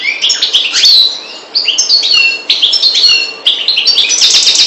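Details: A European goldfinch of the Maghreb form parva sings a fast, tinkling run of high twittering notes, slurred trills and liquid chirps in quick bursts, with no other sounds intruding.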